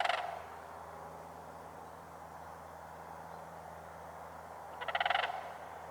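A sandhill crane gives two loud, rolling, rattling trumpet calls about five seconds apart, with a faint steady hum underneath.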